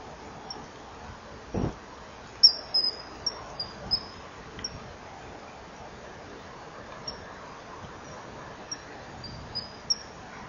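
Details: Common kingfishers at a nest-wall camera on 24 July 2015 at 19:09, a female chasing off a begging juvenile before mating with the male. About a dozen short, thin, high whistled notes come at irregular intervals, with one low thump near the start.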